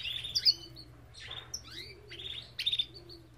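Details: Belgian canary in an aviary with bright chirps and sweeping whistles, some falling, in quick bursts; a faint lower call and a steady hum are also heard.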